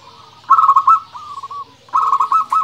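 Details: Vocal local zebra dove giving its 'nembak' song for luring and stimulating other doves: loud rapid rolling coos in two bright phrases, each a quick bubbling series of notes, with a softer phrase between.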